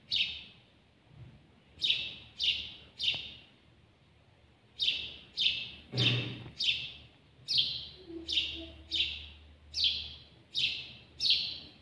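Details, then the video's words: House sparrow, called al-jawj locally, chirping close up: three cheeps, a short silence, then a long, lively run of about fourteen loud downslurred notes, with a brief low thud midway. "تغريد جميل لطائر الدوري في اقرب صورة (الجاوج)"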